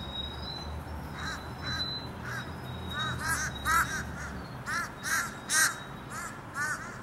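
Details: A mob of fish crows around a building on 14 October 2020 gives short, nasal, arching caws, often in quick pairs or triplets, over a steady high whine and low rumble; another crow is heard around 0:30.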